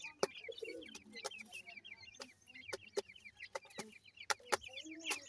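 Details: Grey francolin chicks feeding: many short, thin high peeps in quick overlapping bursts, with lower soft clucking notes and sharp pecking-like clicks scattered through.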